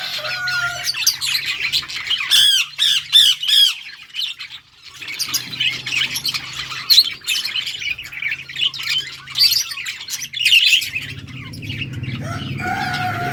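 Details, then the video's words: Yellow budgerigars, Australian parrots, chirping and chattering: rapid scratchy warbled phrases and sharp high chirps in bursts, brief pauses between, a faint low hum in the background. "Beautiful yellow budgies chirping sounds 💛 Beautiful Australian parrots talking"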